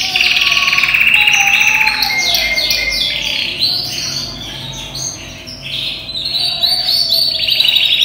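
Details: Caged yellow canary imported from Europe, about ten months old and in peak singing condition, sings a varied song with voice changes: a long rattling trill, a falling whistle, then bright chirps and rolling phrases that run together without pause.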